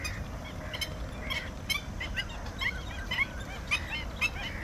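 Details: Bar-headed goose uttering a series of clipped honks, roughly two per second and somewhat uneven, loud over a steady low-frequency background hum.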